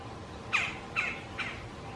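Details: In mid-March, a male Red-bellied Woodpecker at his backyard nest box, answered by an interested female, gives three harsh, rolling churr notes evenly spaced about every half second, over a faint steady hiss.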